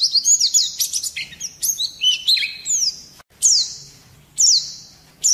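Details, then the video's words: Oriental white-eye singing to provoke other birds: a busy tangle of high sliding whistles and rough notes, then after a short gap several separate sharp descending whistled phrases about a second apart. "Pleci gacor ngerol nembak kasar cocok mancing emosi"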